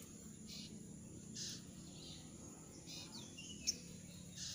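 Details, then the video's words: Jongkangan bird in moult, shedding feathers, its voice hoarse and unable to sing fully; short harsh, hissy bursts come at irregular intervals over a steady low hum and background noise. "suara burung jongkangan dalam ke adaan mabung rontok bulu"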